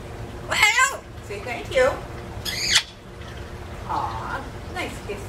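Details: Talking parrot kept in an indoor aviary where birds fly free, caged only while out: several separated harsh, speech-like calls about a second apart, bright and noisy, with quieter softer syllables between them, indoor background.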